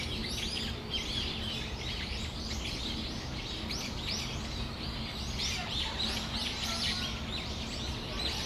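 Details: Several Brown-eared Bulbuls (Hiyodori) in Tamagawadai Park on a December afternoon give a busy, overlapping chatter of shrill, squeaky calls over a steady low rumble of background noise.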